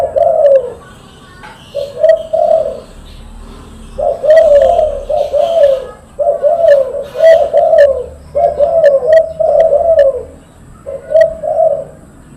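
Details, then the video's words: Spotted dove, silver-colored, giving loud, eager repeated coos: low hollow phrases of two to three notes, about one phrase every two seconds, with faint high chirps of other birds behind. "derkuku suara keras"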